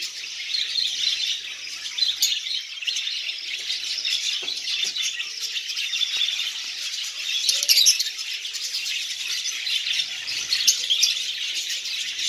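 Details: A colony of lovebirds feeding on seeds makes a constant high-pitched chattering wash, many overlapping chirps with occasional louder squawks rising above the steady din.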